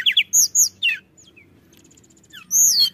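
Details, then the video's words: Pied bushchat in song: quick high whistled slurs and chirps, then a near-silent gap with a few faint notes, and finally a loud drawn-out whistle sweeping downward. "Suara Tledekan Gunung Gacor"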